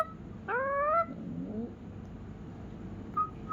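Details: Indoors, a rescued pet ringneck parrot imitates a cat on its owner's prompting with one nasal, rising meow lasting about half a second, a softer croak after it, and a brief whistle near the end.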